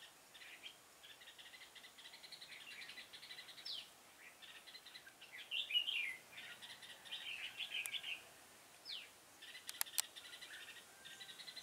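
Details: Decoy red-whiskered bulbul used in bird trapping, 6 November 2017, giving bright chirpy warbled phrases with a loud burst midway, amid continuous rhythmic chirring and a few sharp clicks.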